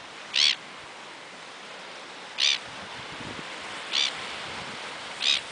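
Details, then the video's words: Gulls in Australia in June, described as quarrelsome and fighting; short harsh high calls repeated about four times at irregular intervals, over a steady background hiss of surf. "Gaviotas Angry birds"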